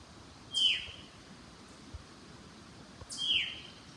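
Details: A Veery calls in a waterlogged cedar swamp with a laurel understory and sphagnum moss at Manchester Cedar Swamp Preserve, New Hampshire. It gives two slurred, falling "veer" whistles about 2.5 seconds apart over quiet forest background.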